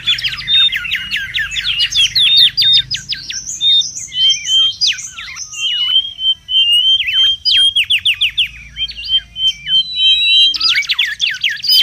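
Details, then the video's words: Wild mangrove whistler singing, recorded for luring and tutoring birds: fast chattering bursts mixed with clear whistled notes and sweeping slurs, phrases tumbling into one another for about twelve seconds. "SUARA PIKAT DAN MASTERAN BURUNG KANCILAN BAKAU RIBUT DI ALAM LIAR"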